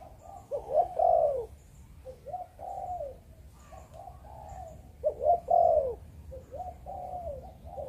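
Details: Breeding spotted dove of Malaysian stock giving 'Chụp Chụp Ô' cooing: two rounds of low, husky coo phrases, each opening with a louder rising-falling note and then trailing into softer repeated coos.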